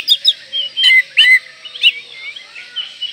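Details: Oriental magpie-robin singing richly to keep breeding condition and anger rivals: a cluster of loud, buzzy and whistled notes in the first two seconds, trailing off into softer rising whistles.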